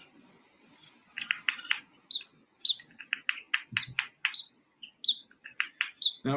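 Pygmy Nuthatch giving quick, uneven runs of high, squeaky piping notes held in a narrow pitch band; a faint low thump or voice near the end.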